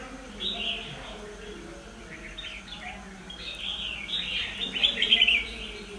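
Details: A wild-caught Red-whiskered Bulbul from Kim Bôi, Hòa Bình, Vietnam, filmed 25 March 2022, gives bright, quick chirping phrases that grow louder and busier toward the end while a man talks in the background.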